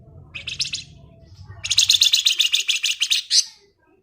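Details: Flamboyan singing strongly in ngebren style: a brief buzzy burst, a pause, then a long rapid chattering trill of about twenty sharp notes ending in a higher note. A low rumble is heard at the start.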